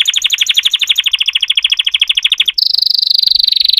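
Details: Singing canary delivering a fast, even trill of bright repeated notes for about two and a half seconds, then switching abruptly to a clear high sustained rattle-tone that runs to the end.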